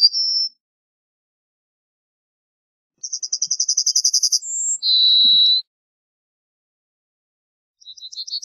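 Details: Singing Yellowhammer: a brisk run of about fifteen high ticking notes, a short higher note, then a long lower drawn-out note. Pauses separate this phrase from partial phrases at each end.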